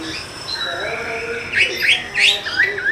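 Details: Oriental magpie-robin, lure recording to coax reluctant birds into singing; after a quiet, muffled start come a few sharp rising whistled notes in quick succession near the end.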